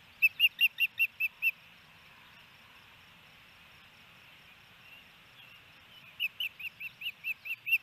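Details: Osprey calling at a Hellgate Canyon nest, Missoula, Montana, on 28 May 2018 while the male feeds the female a fish: a rapid run of seven sharp whistled chirps, a pause of several seconds, then another even series.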